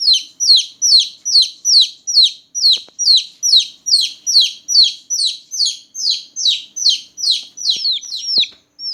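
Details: Newborn chicken chicks calling loudly at night with a long, regular train of high, downward-sweeping peeps, about two and a half per second, slightly overlapping toward the end.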